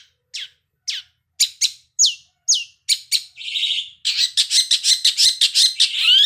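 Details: Long-tailed shrike lure song meant to get the bird singing: separate sharp downslurred whistles, a drawn-out buzzy note, then a fast run of harsh, scratchy notes.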